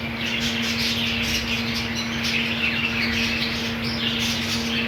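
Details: Budgies in a colony, offered green food, keep up a busy tangle of short chirps and rising squeaks, steady in loudness, with a low mechanical hum underneath.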